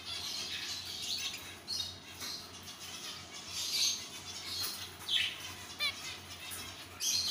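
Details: An adult Isabel-mutation zebra finch (Taeniopygia guttata), over seven months old and ready for breeding, gives quick, buzzy, nasal song notes in short bursts, high and scratchy.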